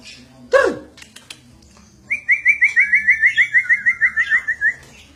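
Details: Lively, talkative white-rumped shama singing and refusing to be outdone by its owner: a sharp burst, then a fast run of about fifteen bright, repeated upslurred whistles, roughly five per second, ending on a dropping note.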